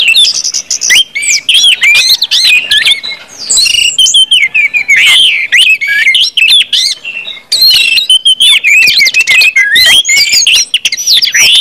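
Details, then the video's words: Rich ngeplong song of an Orange-headed thrush, used to prompt other birds to sing quickly: fast, varied run of looping whistles and sharp chirps, with one longer gap before a final energetic stretch. "KUMPULAN ANIS MERAH NGEPLONG BIKIN CEPAT BUNYI DAN GACOR ANIS MERAH"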